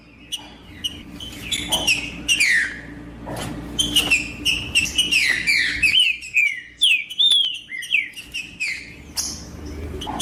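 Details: Green-winged saltator (trinca-ferro) singing in the 'macheando' style, meant to warm up another bird into singing: rich slurred whistled phrases, rising and falling, delivered rapidly in a dense run, then sparser separate notes with short pauses.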